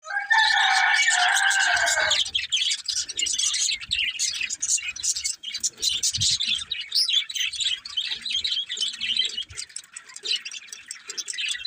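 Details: Budgerigars chattering: a loud, bright burst of chirps at the start gives way to a dense, continuous warble of rapid high twittering and scratchy notes.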